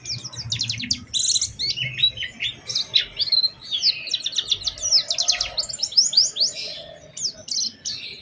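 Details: Oriental white-eye delivering a lure song that prompts other white-eyes to sing: fast trilled series of high chips alternating with slurred, sweeping whistled notes, energetic and continuous.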